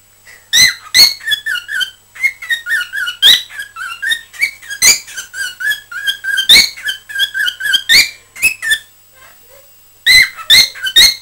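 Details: Cockatiel kept as a pet, chattering on 20 December 2007: dense strings of quick warbled whistles broken by loud sharp clicks, nearly continuous, with a short lull before a final burst of clicks.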